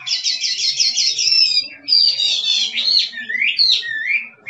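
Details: Chinese hwamei of forest stock singing in the fired-up 'kích trống' manner: it opens with a rapid rattling trill of repeated notes, then breaks into loud, slurred, rising and falling whistles.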